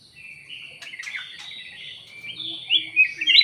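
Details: Lure call of a kutilang emas (black-headed bulbul): a run of rapid chattering, bubbling notes that climbs into several loud, clear, rising whistled phrases toward the close, with quiet low noise underneath.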